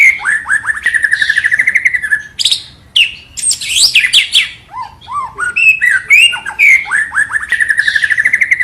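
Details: Continuous white-rumped shama song used as a lure to make a bird sing: long runs of quick falling notes, high squeaky sweeps, rising whistles and low slurred notes, repeating the fast note runs at the end.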